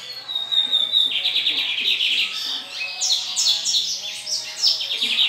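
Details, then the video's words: Lined seedeater (bigodinho) sings a fast, continuous song of high, sharp chirps and short buzzy trills, with brief whistled notes mixed in. "bigodinho com canto Espetacular!"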